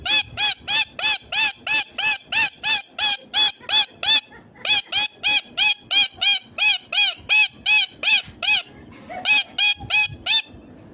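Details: Green pet ringneck parrot giving a fast, steady series of harsh, ringing screeches, about three per second, repeated for the whole stretch with only a brief pause near the middle.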